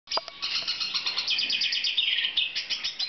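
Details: Black siskin in breeding condition, recorded in 2014: a dense, fast twittering song of tinny chirps and short trills held high, with a brief lower note near the start.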